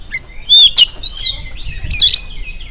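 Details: Oriental magpie-robin in morning song meant to set other birds singing: a few clear slurred whistles, one loud harsh rasping burst, and a twisting whistled phrase.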